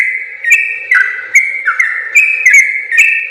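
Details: Rolling gacor song of a sooty-headed bulbul, recorded for training other bulbuls: fluty whistled notes sliding up and down in a steady, continuous patter.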